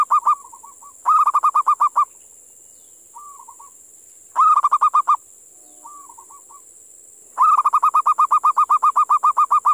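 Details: Wild local zebra dove caught in the area of a sacred tomb, its call described as eerie and ghostlike: bursts of rapid staccato cooing notes, several per second, with softer rolling notes between bursts over a steady high hiss.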